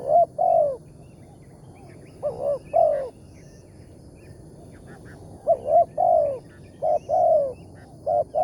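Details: Big-voiced wild spotted dove calling during a morning trapping outing. Coo pairs come in bursts separated by pauses, each a short note followed by a longer falling coo.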